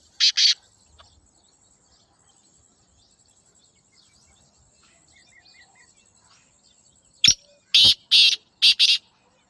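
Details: One brief harsh note opens, then near-silence for several seconds before a Pakistani black francolin gives a full phrase of five grating, buzzy notes in quick succession.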